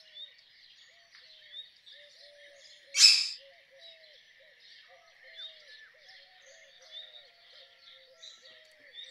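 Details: Rose-ringed parakeet with a single loud, grating screech early on, then a quieter chorus of other birds and repeated soft low whistles.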